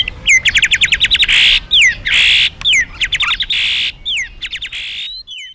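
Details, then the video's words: Magpie-robin singing loudly as a lure for other birds: rapid trills of high, sharp notes broken by bursts of harsh buzzy sound, then scattered thin whistled slurs. "suara burung murai gacor"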